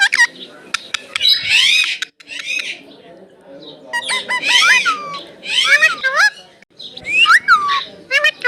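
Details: Indian ringneck parrot talking, with words given as "mitthu" and "mammi": bursts of harsh, harmonic, chattering syllables with swooping falling notes, separated by short pauses, over a faint low background murmur.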